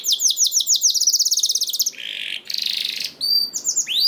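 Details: Canary song to get other canaries singing: fast repeated high chirps, then harsh buzzy rolls, ending in a few whistled upward slides.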